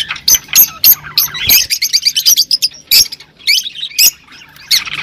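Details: Rosy-faced lovebirds kept with Fischer's lovebirds, singing to encourage mating: a busy stream of shrill, high chirps and squeaky bursts, some rapid stuttering runs, with short pauses between clusters.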